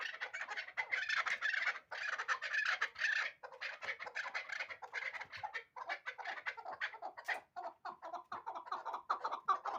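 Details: Hybrid chukar partridge, a bird hatched the previous year, giving a long run of harsh, rapid chuckling notes, about two or three a second, dense and uneven, with a brief sharper note near the end.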